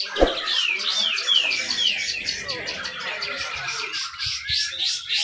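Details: Grey-cheeked bulbul (cucak jenggot) at a songbird contest on hanging poles in Malinau, North Kalimantan, giving a dense 'besetan rapet' song used to spur lazy birds. Bright downward-slurred whistles tumble in quick succession amid busy chirping and a brief thump.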